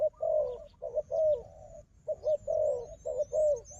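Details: Wild dove strong at fighting, near a decoy dove: two bursts of low cooing, a long wavering coo then shorter notes, split by a short silence, thin high bird whistles following.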